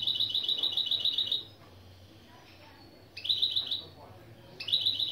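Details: Mule hybrid of European goldfinch and canary giving opening song phrases as a lesson: a fast, even trill of sharp repeated notes, a pause, then two more short rapid trills. Faint background hum.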